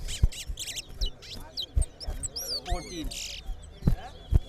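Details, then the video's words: Competition song of a towa towa, two birds pitted against each other: bursts of quick chirps, slurred upward whistles and a short buzzy trill, interrupted by people talking and knocking sounds. "TOWA TOWA BIRD SINGING COMPETITION"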